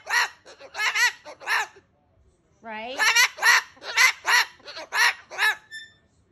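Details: Female cockatoo kept at home ranting, a chattering string of harsh, voice-like syllables in two runs separated by a short gap, the second opening with a rising slur before clipped repeated notes.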